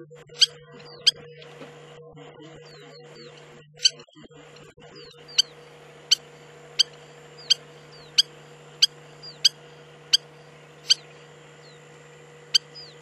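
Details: Spur-winged lapwing in Israel's Hula Valley, Upper Galilee, sounding a long series of piercing metallic ticks, a few at first, then about a dozen steadily repeated notes with faint slurred whistles, against persistent low droning hum.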